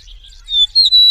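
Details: Eastern meadowlark singing in the wild: a short run of clear, high whistled notes, ending in two sustained pure whistles after soft fluttery openings.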